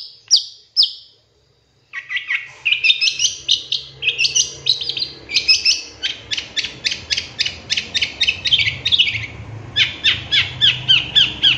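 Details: Long-tailed shrike (cendet) song from a master training lure recording with 'tembakan' fill phrases: two sharp high notes, a pause, then a long run of short, clipped chirps at about three to four per second.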